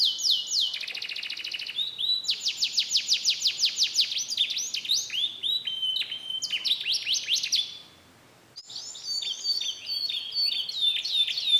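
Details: Canary from Comal, Pemalang, Central Java, Indonesia, giving a mixed song of imitated phrases: fast buzzy trills of repeated downward strokes, then sliding whistles and chattering notes, broken by a short pause, with no other clear sounds.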